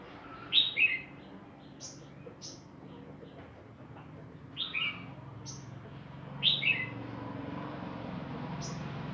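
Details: A female five-coloured sunbird, hopping about as a sign of starting to pair for the coming breeding season (females are smaller-bodied than males), gives thin, high chirps, single or in quick pairs, every second or two over a low background hum.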